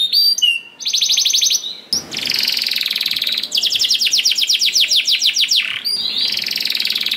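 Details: Singing canary in 'ngerol' style, played as a lure so other canaries join in: short whistled phrases, then long buzzy rolls and rapid pulsed trills of many repeated notes per second, broken by brief gaps.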